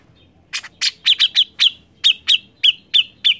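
A bulbul gives a quick run of about a dozen sharp, bright chirps, roughly three per second, each with a slightly bent whistled tone. No other sounds intrude.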